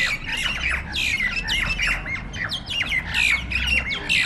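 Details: A mob of jalak nias starlings fighting, producing a continuous barrage of harsh, buzzy squawks and rising-falling screeches. A low rumble runs underneath.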